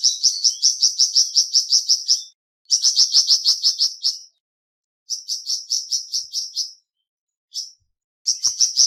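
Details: A flamboyan bird gives bursts of quick, high chirping, each run lasting one to two seconds, separated by short silences. A single isolated note sounds near the end.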